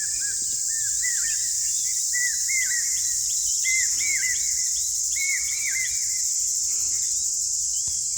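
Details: A common hawk-cuckoo calls in the morning at a Konkan village: repeated three-note phrases of shrill, rising whistles, each set pitched a little higher, over loud insect hiss. The call is locally heard as "perte va", signalling that sowing should begin because rain is coming soon.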